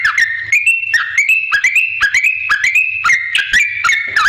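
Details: Whistled yellow-vented bulbul song, lively and continuous, used to lure other bulbuls into answering; short liquid notes step between pitches at a brisk, uneven pace, with sharp clicks mixed in.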